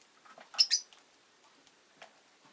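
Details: Pet rosy-faced lovebird giving a short shrill chirp in two quick bursts near the middle, with faint soft ticking and scratchy noises before and after.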